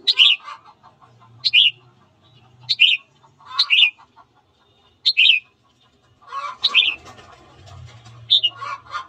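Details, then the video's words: Red-whiskered bulbul song at morning, meant to stir fighting: a series of short sharp whistled phrases about once a second, later overlapped by busier chattering and other bird sounds. "Luyện giọng chào mào hót sáng kích bổi đấu"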